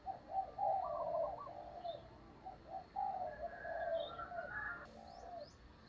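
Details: Decoy spotted dove giving the stuttering 'cà lăm' coo style to provoke wild rivals: low, soft hooting coos in broken, stammering bursts through six seconds, with faint higher chirps from other birds behind.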